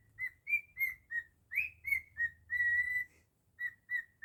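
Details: Pet cockatiel whistling its own version of Jingle Bells: a run of clear, bright whistled notes at a steady pitch, short repeated notes, a rising slurred note, then one long held tone, followed by a pause and more short notes.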